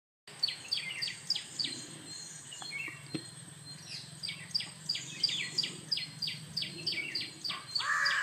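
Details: Jungle babbler calling while grooming: harsh, rasping chirps repeated about three times a second in a steady run, with a softer low hum and a brief louder mewing note near the end.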